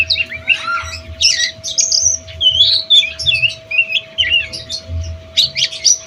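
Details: Oriental magpie-robin learning to reproduce song material, delivering a rapid, varied run of sharp whistles, chirps and squawky notes, phrases changing every fraction of a second, over a steady electrical hum and low thumping in the background.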